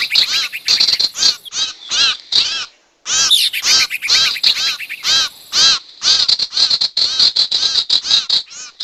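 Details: Lure audio of sirtu for trapping wild birds: loud raspy, chattering calls in quick series, a brief silence near three seconds, then dense overlapping harsh notes to the end.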